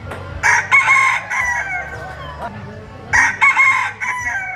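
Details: Rooster crowing twice, each burst made of choppy harmonic syllables with a held tail, over a noisy farmyard background.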